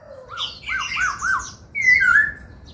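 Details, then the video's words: Laughingthrush singing while dancing, in training for the 'bắt cô trói cột' song style: a low slurred note, then four arched whistles repeated about every 0.3 seconds, and a loud downslurred whistle near the end. "Khướu hót múa, Luyện Khướu hót giọng bắt cô trói cột, Tiếng chim Khướu hót"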